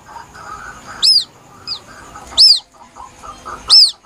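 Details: Lure recording of a plaintive White-breasted waterhen chick: piercing high peeps that rise and fall, coming about every one and a half seconds, with a weaker note between them and quiet background murmur.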